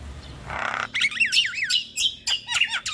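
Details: A short noisy rasp opens this starling song, used to stimulate caged starlings to sing, followed by looping, warbled whistles and squeaky notes.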